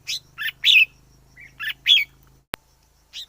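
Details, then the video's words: Wild red-whiskered bulbul chatters in a lively run of bubbly, slurred notes. A low hum underlies the first part, and a single sharp click is followed by one last chirp. "Chào mào rừng hót hay nhất 2020. Noog diab quaj zoo kawg li"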